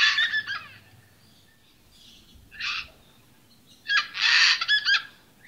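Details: Sulphur-crested cockatoo recorded at St Lukes Church in Gray, Palmerston, Northern Territory, Australia: scattered rasping screeches, a short one early, a brief one midway and a louder grating cluster near the end, with quiet gaps between.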